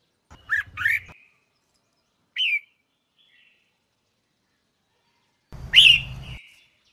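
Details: Female red-whiskered bulbul, its sound used to spur males to sing: scattered short whistled notes, two quick upslurred chirps, a lone note, then a louder sharp whistle after a long silence.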